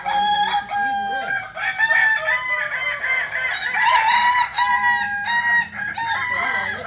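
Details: Kokok Balenggek rooster, a village chicken of Solok in West Sumatra prized for its multi-level crow; a long, loud crow climbing and dropping through repeated stepped tiers, notes bending up and down, continuing throughout.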